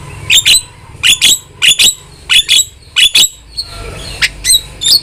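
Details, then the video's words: Vigorous starling phrases for a training recording: paired sharp, high chirps repeated in even groups about once a second, then softer scattered squeaks over faint background hiss. "OCEHAN JALAK GACOR"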